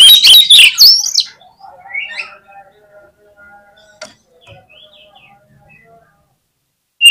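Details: Oriental magpie-robin (kacer) singing in lively gacor style: a loud burst of fast, sharp, high whistled notes with rapid slurred phrases in the first second, then faint scattered chirps and near silence.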